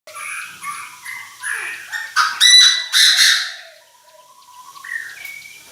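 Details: Chinese francolin decoy bird calling the flock, crowing hard: a loud harsh burst of three or four rasping, ringing notes in the middle, with thin whistled notes from other small birds before and after.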